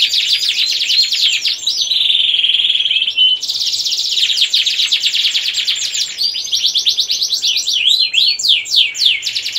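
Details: Domestic canary in breeding condition, singing a loud, fast 'gacor ngerek' song meant to stimulate females and young males to breed: dense high trills, sweeping whistled notes and rapid buzzy rolls with a steady tone near the middle.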